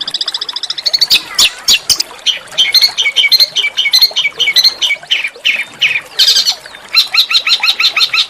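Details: Small songbird delivering harsh but melodious shot-like notes as a master song to trigger oriental magpie-robin singing: squawky chattering phrases, clipped high whistles, and closing rapid repeated chips.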